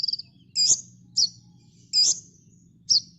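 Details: Olive-backed sunbird from a master recording for training cage birds, giving strong, sharp high chip notes spaced under a second apart after a brief trill, with a steady low hum beneath.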